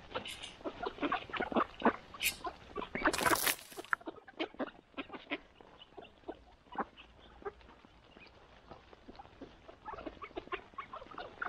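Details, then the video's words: Mallard ducks at morning feeding: a rapid jumble of short, rough quacks and chatter, several per second, with a loud rushing burst near the middle and calmer, thinner calling toward the end. "Morning Feeding, Mallard Ducks"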